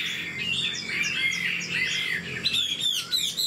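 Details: Old Chinese hwamei from the wild, now caged, delivering rapid melodious song: fluid whistled warble, then sharp high clear notes and fast trills in the last second.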